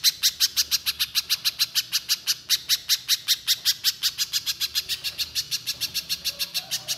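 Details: Rapid 'nembak' singing from a little spiderhunter in full voice: an unbroken run of around thirty-five piercing, clipped chips over seven seconds, slightly uneven in spacing, clean and unaccompanied. The style is meant to get untrained birds singing quickly.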